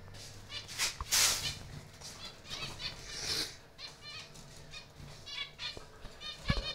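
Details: Zebra finches in a breeding aviary colony give short, nasal, toy-trumpet beeps in quick overlapping runs, with wing flutters and rustling bursts from the flock.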